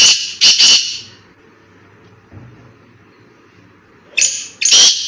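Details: Black francolin calling in a forest: loud, harsh, grating notes delivered in a pair of bursts, a long quiet stretch, then another pair of rasping bursts.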